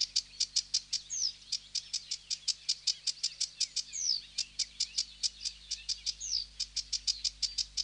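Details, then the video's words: Sedge warbler song: a long, steady run of sharp high clicking notes, about four a second, broken every few seconds by a quick down-slurred whistle, with a faint low hum behind. "هازجة البردي المخططةsedge warbler"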